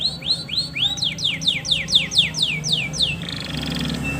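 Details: Male canary song aimed at prompting a female to mate: repeated steeply descending whistled notes, roughly two per second, ending in a buzzy drawn-out tone.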